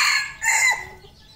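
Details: Red junglefowl on a farm in Cambodia gives a brief, harsh crow in two strident, high bursts ending abruptly, shorter and more clipped than a farmyard rooster's.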